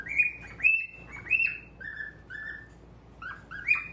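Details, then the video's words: Pet male cockatiel, normal grey, at a mirror, giving a run of clear whistled notes, some sliding up and some level, about two per second, sweet and tonal in a quiet room. "鏡とちくわ♂ Mirror and Chikuwa♂"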